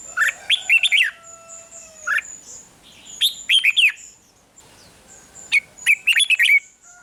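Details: Song of a red-whiskered bulbul from Thailand, played to stir up caged birds: clusters of fast, bubbly chirped notes, with thin high steady whistles and a lower drawn tone from other birds running underneath.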